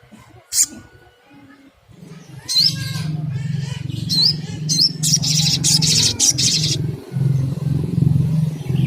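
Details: Little spiderhunter, played as a lure to stir a bird into calling, giving sharp high chips and short upswept notes in bursts. A steady low hum runs underneath.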